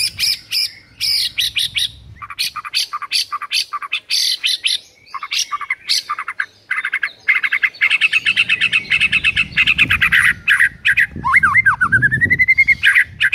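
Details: White-rumped shama training song from a morning recording aimed at making rivals fight: dense rapid chattering notes and rattles, repeated fast, ending in swooping clear whistled slurs.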